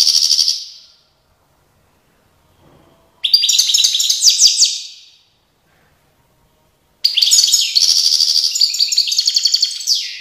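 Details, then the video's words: European goldfinch in Tiaret, 2019, delivering three high, jangling twittered phrases with gaps between, the last one a longer run of quick repeated chirps. "chant chardonneret tiaret 2019"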